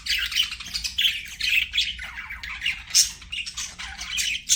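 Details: Singing, playing budgerigars give a lively mix of chirps, scratchy warbles and sharp squawks, with a few louder piercing notes standing out.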